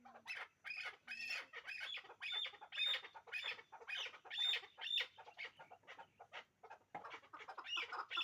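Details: Hybrid chukar partridge pair producing a rhythmic chorus of raspy clucks with thin whistled peaks, about two notes each second and fading slightly toward the end.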